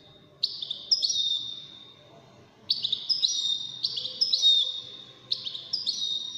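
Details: Widaniya-style European goldfinch, one of five contestants in a song contest; bursts of high, ringing, stepped whistles separated by brief silences, with a faint low hum underneath.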